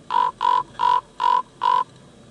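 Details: A common raven gives five hoarse, croaking calls in quick, even succession, about two per second, with a quiet background.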